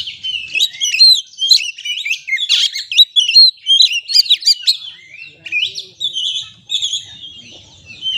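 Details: Oriental magpie-robin, locally kacer, used as a lure for stressed birds: rapid bursts of mixed whistles and sharp chirps, then softer, more spaced notes toward the end.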